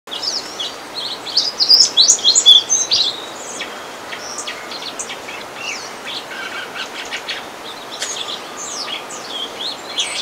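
Fox sparrow giving high, thin chips and short twittering notes in quick, uneven bursts, loudest early on, over a steady outdoor hiss.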